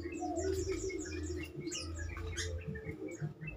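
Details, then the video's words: Yellow-vented bulbuls give bubbly, quick chirps and short whistled phrases, several birds overlapping, over a steady low hum; used to provoke other bulbuls into answering and singing more. "pancingan trucukan terkomplit"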